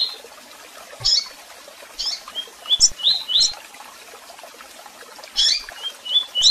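Double-collared seedeater giving bright, high chirps and short whistled notes in loose bursts, some rising, with quiet gaps between phrases.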